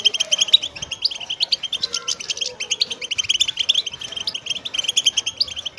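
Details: Wild linnet song, used to stimulate goldfinches to sing: a fast, continuous stream of high twittering and chattering notes with several birds together, over faint lower background sounds.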